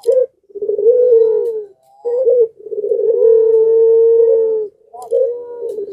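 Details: Puter pelung Barbary dove in breeding condition, singing vigorously and prompting nearby doves to join in: long, smooth, level coos, each opening with a short rolling burst, separated by brief pauses across six seconds.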